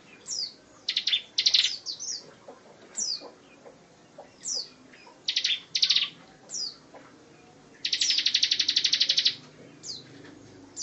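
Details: Bar-winged prinia singing in the tembakan rapat style, a tutor recording for songbirds such as magpie-robins, leafbirds, shamas and shrikes: fast buzzy bursts of rapid high pulses, mixed with thin downslurred whistles repeated between bursts.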